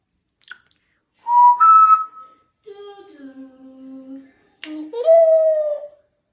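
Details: Pet African grey parrot indoors, calling out in whistled, voice-like tones: a clear mid-pitch whistle, then a lower drawn-out hum-like note, and a rising then steady whistled phrase, with silence between.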